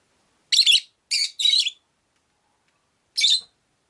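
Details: Pet Rosy-faced lovebird in a windowside cage with four others, uttering four harsh, buzzy, high-pitched chirps, three in quick succession and one after a pause of over a second.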